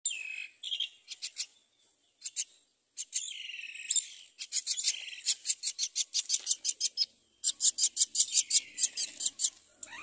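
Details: Common myna mother feeding her chick rice: harsh, buzzy high calls, then long runs of rapid raspy pulses, several bursts a second, with short squeaky whistles between them.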